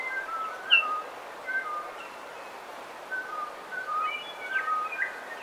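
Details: Bellbirds singing in a dawn chorus on the coast. Ringing, whistled notes come in loose phrases, with one loud, close note near the start and clusters of chiming tones later, over soft steady background hiss.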